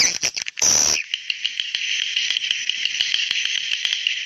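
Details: Swiftlet calling to young swiftlets: a brief high whistle, then a continuous buzzy, shimmering twitter that holds at one pitch, with scattered sharp clicks throughout.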